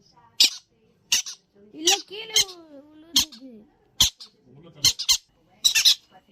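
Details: Young Yellow-sided conures playing indoors, giving short harsh squawks and screeches in bursts about every second, with brief human speech and some softer warbled notes between them.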